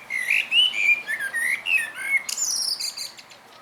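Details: Thrush fledgling lost in a Zamość park, Poland, evening; rapid series of short, wavering chirps and squeaks, closely repeated, ending with a higher, buzzy sweep of notes.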